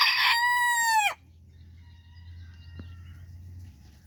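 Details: Bantam rooster in a backyard flock crows as hens dust bathe; the tail of the crow is a loud, held, rich note that bends downward and cuts off, then quiet with a low steady hum and a faint click.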